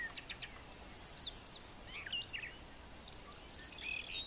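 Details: Morning song of a male brown thrasher on a farm with brushy nesting cover: quick sequences of sharp whistled and rasping high phrases, changing from one to the next, over a faint background hiss.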